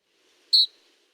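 A single very brief, high Canyon Wren call, a burry whistle with a harsh, trilled edge like a referee's whistle. Nothing else is heard.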